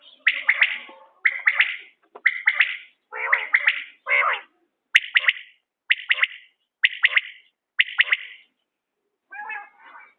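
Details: Common quail associated with quail hunting, giving a steady run of sharp triple-noted calls about a second apart, some notes rougher and broader. A short harmonic call closes the sequence.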